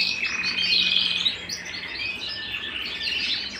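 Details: Pet canary singing at home, a short burst of high, rippling trills and twittering notes, strongest at the start and fading slightly toward the end.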